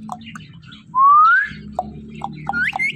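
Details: Pet talking parrot playing with her best friend gives a clear whistle sliding steadily upward, with soft chirps before and after and a low background hum.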